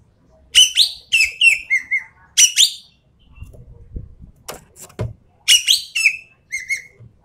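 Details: Sumatran treepie, a Sumatran endemic, delivering phrases of rough, scratchy chatter each followed by a short falling whistle, in two bouts separated by a pause with low knocking and rustling noise.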